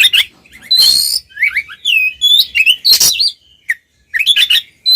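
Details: Oriental magpie-robins, two birds singing ngeplong style as a lure for silent magpie-robins, deliver a dense rapid stream of varied whistled slurs and chirps mixed with harsh scratchy bursts, briefly pausing before resuming.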